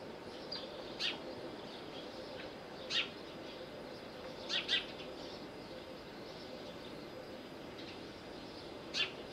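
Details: Little owl at Bostonia Village on Corfu, Greece: short, sharp, high calls scattered through a quiet background, some single and one close pair, separated by several seconds of faint hiss.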